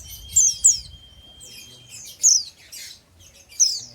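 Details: Oriental white-eye, young untrained bird for ngeriwik singing, producing rapid high slurred chirps in clusters, a doubled burst then single ones, with a faint steady tone early on.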